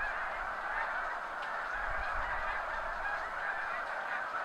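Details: Wild snow geese, a flock of thousands, taking off from crops near the seaway at high tide in spring; continuous overlapping honking from many birds, fairly even in level, with faint low thumps.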